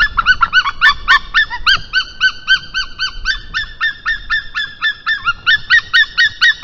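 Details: Estonian white-tailed eagle at 1:53 pm on 22 March 2023, a male bringing a fish gift before mating; loud, ringing yelps with strong overtones, repeated steadily at about four per second throughout, with only faint background noise.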